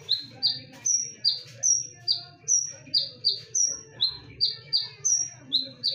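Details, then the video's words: Sharp, loud konin song for luring other birds: an evenly paced string of bright, very high, downslurred notes, some held slightly longer, alternating between two pitch levels, with a low humming background. "KONIN GACOR FULL TEMBAKAN / SUARA TAJAM DAN NYARING / BERANI DENGARKAN SUARA PANCINGAN KONIN INI??"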